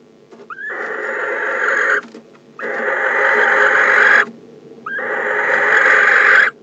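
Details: Calling to his mate as she returns to the nest box on December 15, a male barn owl gives three long, noisy, hissing screeches. Each is about 1.5 seconds and begins with a quick rising note, with short pauses between.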